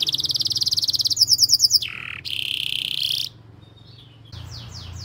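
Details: Canary lure song for training young canaries and waking quiet singers: a quick bright trill, a burst of sharp high notes, a lower whistled note, a steady buzzing roll, a brief pause, then soft falling slurs.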